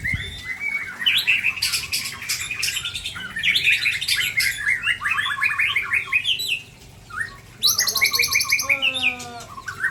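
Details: Ujong Pancu white-rumped shama from Aceh, Indonesia, delivering a full song rich in filler phrases: rapid chattering bursts, sweeping whistles and buzzy trills, then a short pause followed by bright high notes and descending stepped phrases.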